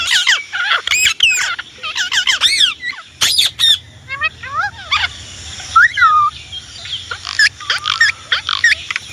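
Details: An Indian ringneck parrot talks in rapid, shrill, arched syllables and squawks. The phrases grow sparser midway, with one clear falling whistle, then further choppy high-pitched notes.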